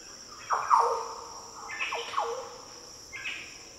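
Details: A Green Oriole sings in the Daintree rainforest of tropical northern Australia. One rich, fluty phrase drops sharply and then holds, followed by shorter answering notes, all over a continuous high-pitched insect buzz.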